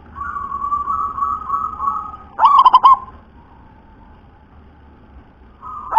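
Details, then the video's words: Local wild-type zebra dove, its voice called super thick and deep, singing freely: a steady humming tone is followed by a rapid, rolling coo phrase of pulsed notes, with another phrase starting at the very end. "Suara perkutut lokal SUPER TEBAL ULEM"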